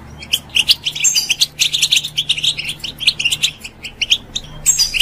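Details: Caged-style pet European goldfinch singing as a stimulus for other birds, fast sparkling chirps and twittered notes in a steady high stream, with a low electrical hum underneath.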